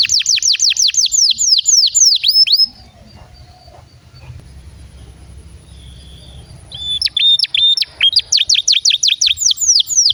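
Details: Canary song meant to get other canaries singing: rapid repeated high chirps in a rolling trill, broken by a few seconds of low background hum before quick, bright trill notes resume.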